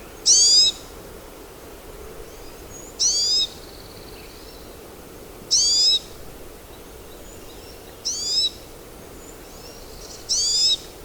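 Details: Pine siskin (Spinus pinus), call.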